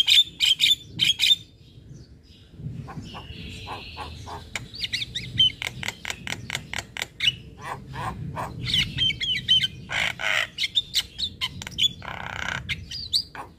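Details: Master and lure song of a Javan myna for young birds: harsh squawks and whistles, a long buzzy tone, then a dense run of sharp clicks and rasping notes, with a faint low rumble underneath.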